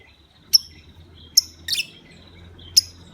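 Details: Lovebird lure call, played to provoke other lovebirds into calling: four sharp, shrill chirps spaced irregularly, the third a doubled burst, over a faint low hum.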